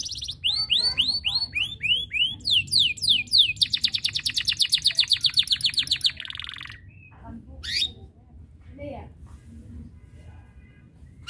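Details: Canary in full song intended to set rivals singing: a run of quick upward-swept whistled notes, then a fast loud rolling trill and a brief buzz, followed by scattered softer chirps over a quiet background.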